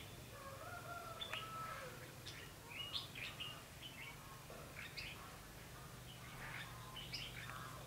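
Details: Red-whiskered bulbul heard during a trapping session on 21 November 2016, giving bursts of bright chirpy, slurred whistled phrases every second or so, with a lower drawn-out whistle early on and constant low hum beneath.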